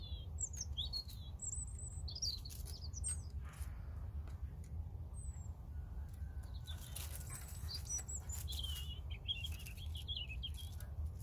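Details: European robin delivering bursts of high, quick, wavering notes and thin whistles, a pause midway, then a longer twittering run, with a constant low rumble beneath.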